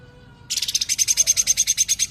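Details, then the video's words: Sooty-headed bulbul delivering 'tembakan rapat' (rapid-fire) song: after half a second of near quiet, a sudden steady rattle of sharp high notes, roughly ten per second, continuing to the end. "Tembakan Rapat Burung Cucak Ranting"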